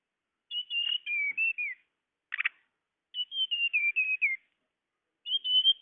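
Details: Lure recording of a tledekan bird for trapping: high clear whistled phrases of stepped, slightly descending notes, interrupted by one brief harsh buzzy note; quiet background otherwise.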